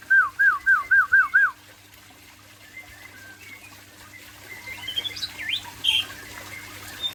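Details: Aceh-type white-rumped shama (murai Aceh) singing in the afternoon: five loud, looping downslurred whistles in quick succession, then quieter high thin notes over a low steady hum.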